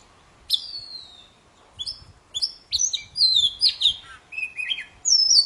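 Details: Energetic singing from a poci-type Oriental magpie-robin, a recording for getting silent birds to sing: a long falling whistle, then a quickening series of short high notes and slurred phrases.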